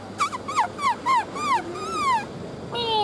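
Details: A male black-throated laughingthrush, tail feathers still growing, sings while flicking its tail: about six clear, looping slurred whistles, then a long falling whistle and a brief harsher note.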